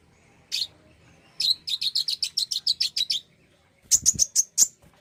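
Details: Common iora song played to stimulate another bird into singing: a single high note, then a rapid even series of about ten sharp chirps, followed by five loud piercing whistled notes.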